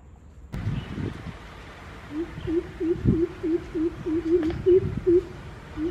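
A Greater coucal gives a deep, hollow series of booming 'coop' notes, about three per second for four seconds, over low rumbling background noise.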